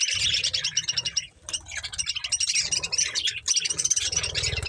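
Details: Budgerigars eating corn, chattering almost without pause: busy, scratchy warbled chirps and squeaks overlapping, with low rustling and knocking in the background.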